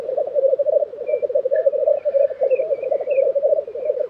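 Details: Black grouse lek in Tiveden, Sweden, April 2023: constant low bubbling underneath short high chirps and warbles from other birds.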